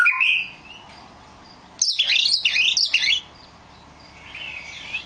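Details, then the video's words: Oriental magpie-robin: a brief whistle, a long quiet stretch, then a loud one-second burst of high, scratchy, fast-changing warbles, ending with soft faint notes. "Burung kacer"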